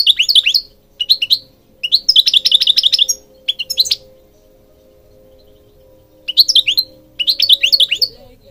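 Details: European goldfinch singing in repeated bursts of fast, tinkling twitters and slurred high notes, several phrases in quick succession, then a pause before two more bursts; a steady faint hum throughout.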